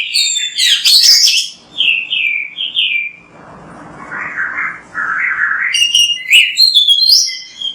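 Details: Oriental magpie-robin (kacer) singing vigorously as a training master: sharp high chirps and a series of slurred whistles, a softer lower-pitched warbling middle section, then fast, bright varied phrases again.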